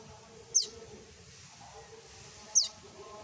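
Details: Common tailorbird chick (tuntuni) calling to its mother: two piercing, very high, clipped notes falling sharply in pitch, about two seconds apart, with quiet low humming in the background.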